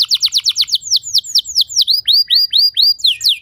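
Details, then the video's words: Canary song used to teach other canaries: quick repeated notes, then slower falling whistles and rising swoops in varied tours, high and clear throughout. "Putar 10 Detik Saja Kenari Lain Bisa Ngeplong Anti Ngeriwik Gacor Nembak Panjang"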